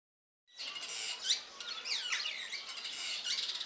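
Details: Superb starling chattering in a dense burst of squawky, scratchy notes mixed with quick high whistled slurs sweeping down and up, starting after a brief silence.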